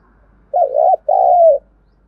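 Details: Lure cooing of a spotted dove for training decoy doves, two mellow phrases with a short break between, the second drawn out and falling slightly at its end, with nothing else heard.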